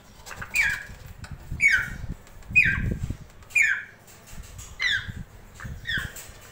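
A grey parrot gives six harsh, downward-sliding squawks, about one a second, with low thumps and rustling between them.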